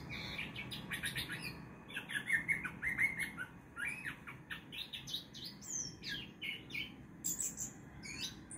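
A male orange-headed thrush sings a rich, varied run of quick whistled and chattering phrases, some sliding high, over a low background hum.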